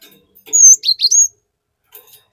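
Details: Gelatik batu (Java sparrow's relative, local name) singing a lure song: a bright whistled high note, then a quick run of three descending-rising chirps, clean and loud with little background.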